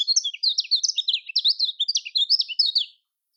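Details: Lombok-style song of the lemon-bellied white-eye, or kecial kuning, used as a lure for reluctant singers. It pours out a fast, even stream of high chirps and twitters for about three seconds, then stops cleanly.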